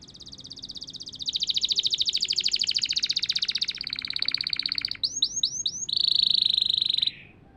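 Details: Canary singing after moulting: long fast rattling trills around high pitch, shifting to a lower buzzy trill, then a few quick descending whistled slurs and a steady bright trill, ending abruptly.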